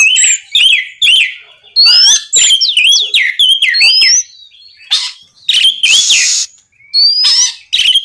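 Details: Song of an Oriental magpie-robin meant to draw rival males into singing back: rapid chains of clear whistles sweeping up and down, interspersed with clipped chirps and a short buzzy, noisy note near the end.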